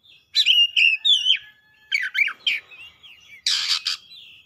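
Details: Oriental magpie-robin, worked up and emotional, pours out its fill-in song. Warbled whistled phrases come in quick succession with buzzy scratchy notes, then a loud broad rasping burst and a soft trailing whistle.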